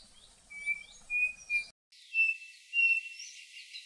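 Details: Birds of Brazil's Cerrado in chorus: clear level whistles repeated several times, overlaid by thin high twitters and chirps.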